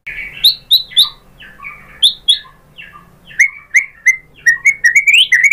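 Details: White-rumped shama singing as a lure for other shamas: spaced slurred whistles with softer lower notes between, then a quickening run of bright chirps.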